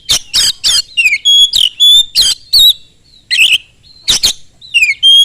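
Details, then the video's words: Loud, fast Oriental magpie-robin song meant to provoke other magpie-robins to sing: dense series of harsh scratchy bursts interleaved with clear whistled notes, a falling swoop, and a final high level whistle. "kacer gacor sangat cepat memancing kacer nyaut ikut gacor dengan suara tembus"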